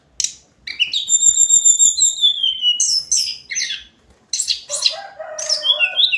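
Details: Hill blue flycatcher (tledekan gunung) daily song: a sharp note, then a long level high whistle held over a second, followed by quick sweeping chirps and a lower warbling phrase.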